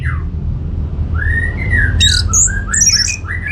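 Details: Varied song of an orange-headed thrush, used as a lure so other birds answer: a downslurred note, long gliding whistles, then high squeaks and chattering notes mixed in, over a continuous low hum.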